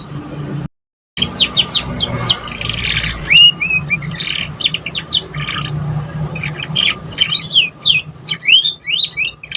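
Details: Young canary in its learning stage, singing a dense, uneven warble of quick high chirps, slurred whistles and short buzzy notes with brief breaks, against a faint steady hum.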